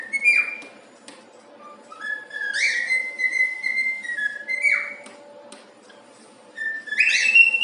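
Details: A pet cockatiel in a happy mood sings "If You're Happy and You Know It" indoors, giving pure sustained whistles that swoop up into each phrase and glide down at the ends, with a few soft clicks between lines.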